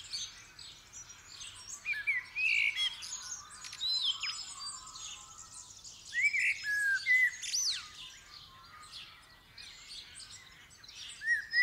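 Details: Common blackbird singing in the dawn chorus on 8 December 2019 as the sky began to lighten, recorded with a Superlux 524D stereo mic; fluty whistled phrases near the low end alternate with thin high twitters from a crowd of other birds.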